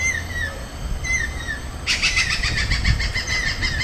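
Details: Stork-billed Kingfisher living in Pasir Ris Park, Singapore, gives a few falling whistled notes, then breaks into a loud, grating, fast-repeated cackling series that runs to the end, with low background rumble throughout.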